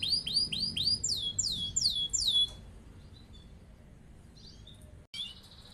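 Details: Canary with a lively, long rolling song kept as a master bird to prompt other birds to sing and copy it: loud, repeated downward-swooping whistles, about four per second, then fading into faint soft twitters with a brief gap.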